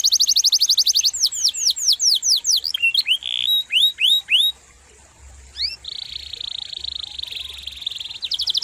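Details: Rolling canary song, meant as a tutor recording for other cage birds: a rapid trill opens, then sweeping upslurred whistles, then a long steady buzzy tone and a brief closing trill.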